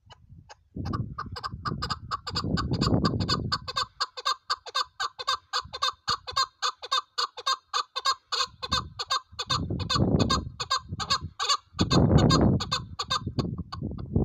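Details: Chukar partridge delivering a long, steady series of clucking chuck notes at nearly four per second, harsh and ringing, broken by bursts of deep rumbling noise near the start and end.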